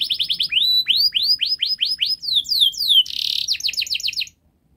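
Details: Model song of a canary for training young birds: quick repeated notes giving way to a series of rising whistled slurs, a short harsh buzzy burst, then a tight trill before silence.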